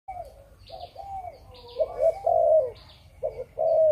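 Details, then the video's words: Malaysian-type spotted dove kept for breeding, giving a 'chụp chụp ô' coo: low, mellow hooted notes, some short and some drawn out, in an uneven run, with faint higher chirps above. "Chim Cu Gáy | Chụp Chụp Ô | Cu Malaysia Sinh Sản"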